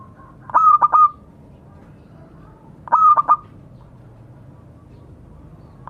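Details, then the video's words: Calling to companions, a local zebra dove repeats its cooing phrase roughly every two and a half seconds: clipped pulsed notes followed by a steady held tone, three phrases in all, the last cut off. "Suara burung perkutut memanggil kawan."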